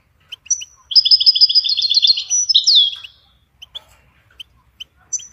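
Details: Goldfinch song used as a ringtone for training songbirds: a rapid run of bright, evenly repeated tinkling notes lasting about two seconds, ending in a buzzy downslur, then scattered single high chirps.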